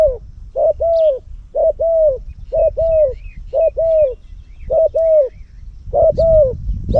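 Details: Loud-voiced spotted dove decoy bird used for luring, Cambodia. It gives a steady run of hollow, paired coos, each pair about a second apart, seven pairs in all, with faint chirps from other birds and low rumble behind.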